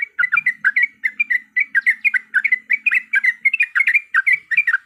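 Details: Yellow-vented bulbul fighting song played as a lure: fast, bubbly run of short chirping notes in quick pairs and triplets, steady and loud, a soft low hum beneath.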